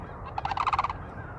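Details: Several sandhill cranes nearby on a frosty, very cold winter day in Florida, with frost on the ground, give a short rolling, rattling call: a quick run of about ten throaty pulses, distant-sounding, over a low background rumble.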